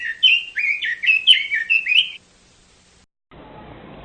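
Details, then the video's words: Chinese hwamei singing a two-second run of loud, lively whistled notes with downward slurs, then silence and a stretch of broadband noise. "Chim quế lâm hót"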